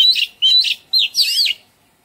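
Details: Oriental magpie-robin in a garden giving melodious song: four clear whistled notes, the first two level and bright, the last pair swooping up and down in a rich warble, then silence.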